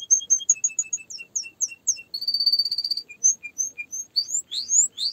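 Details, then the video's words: Singing canary running through tours of whistled notes, a steady buzzy trill, single spaced chips, then sweeping upslurred whistles, bright and high with no other sounds. "Canary singing"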